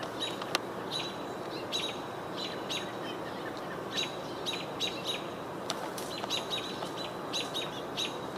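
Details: American Robins, unhappy that a hawk is nearby, give sharp, high chirps in irregular bursts every half second to second over steady background hiss, 22 June 2023; a house sparrow possibly also heard. American robin.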